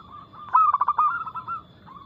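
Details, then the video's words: Local zebra dove, fast and loud with a crystal-clear tone, played as a lure: a single tight burst of rapid, staccato cooing notes that relaxes into several softer, evenly spaced coos. "PERKUTUT LOKAL GACOR Nada cepat Suara keras kristal"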